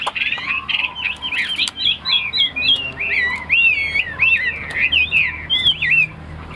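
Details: A captive Chinese hwamei, said to be about 90% tame, sings a loud, rich song of fast, slurred whistles that swoop up and down, running almost without pause, over a faint low hum.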